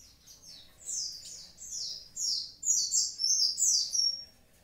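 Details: Active Javan pied starling pouring out high, falling chirps in quick succession. The phrase starts quietly and grows steadily louder and denser toward the end.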